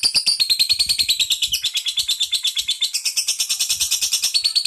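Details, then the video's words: Lovebird singing a long-duration fighter-style song: a continuous, fast, buzzy chattering trill of high scratchy notes, about eight pulses a second, unbroken across the whole stretch. "Lovebird Durasi Fighter"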